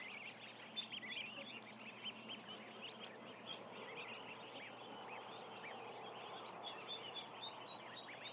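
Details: A mass of ducklings, around one thousand, keeps up continuous thin peeping: quick, high, wavering chirps overlapping without pause, with occasional louder peeps and a faint steady hum beneath.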